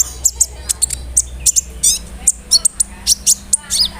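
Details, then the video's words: Melodious sunbird chatter aimed at drawing responses from other sunbirds: quick sharp high chirps and short descending twitters in close succession, with a low droning hum behind. "SEMUA BURUNG KOLIBRI NINJA AKAN NYAUT DENGAN SUARA KONIN INI"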